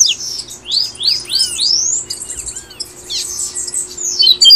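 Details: Brazilian double-collared seedeater giving tui-tui song, meant to stimulate caged birds into singing: a series of rising slurred whistles gathering speed, a dip, then more sweeping high phrases ending in sharp notes.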